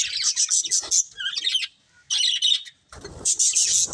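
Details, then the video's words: Budgies of a breeding pair chirping in short, bright, high twitters separated by two brief gaps, with a faint low rustle under the last burst. "Cute Colourful Budgies Chirping Sounds"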